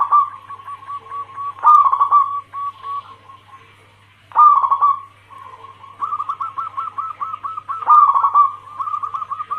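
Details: Female zebra dove calling for a male, lure recording: several loud gurgling bursts separated by runs of quick, even cooing notes that grow faster toward the end, over a faint low hum.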